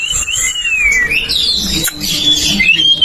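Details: Ngeplong song from a champion Oriental magpie-robin, used as a lure to set other birds singing: drawn-out gliding whistles, rising then falling, with a brief click midway.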